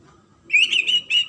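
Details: White-rumped shama, a popular Indonesian cage bird, giving a short high whistled phrase: a rising note into a warbled trill, then a brief pause and a final whistled note.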